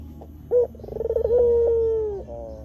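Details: One complete coo from a white Barbary dove, recorded as lure audio for attracting wild doves: a quick opening note, a rapid rattling lead-in, then a long smooth held tone drifting gently lower before cutting off.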